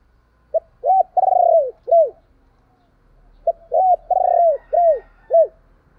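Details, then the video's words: Calling spotted dove kept as a decoy. It gives two full phrases about three seconds apart, each made of a short note, a rolled coo, and two or three clipped descending coos. The background is quiet apart from a low hum. "Tiếng chim cu gáy mồi gáy gọi"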